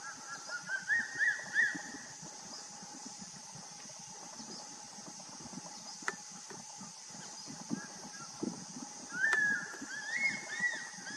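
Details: Crested serpent eagle calling in Rajaji National Park in December 2019; a few loud, high, ringing whistled notes at the start, then quiet, then another drawn-out whistled phrase near the end over steady insect hum.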